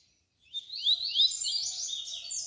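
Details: Double-collared seedeater song of the tui-tui style, used as a tutor to teach young birds: a high, tangled run of rising chirps and trills, fairly continuous and slightly buzzy, with faint low hum beneath.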